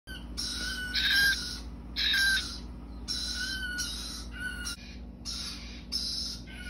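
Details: Captive-bred cockatiel chicks raised by a breeder, with lorikeets and a green-cheeked conure also kept nearby; harsh, hissing, raspy bursts about half a second to a second long repeat with short gaps over a low steady hum.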